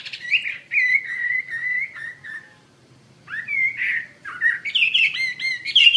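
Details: Chinese hwamei singing in a lively, energetic style for use in training other birds: long slurred whistles around mid-high pitch, a pause of nearly a second, then rising and falling whistled phrases that quicken toward the end.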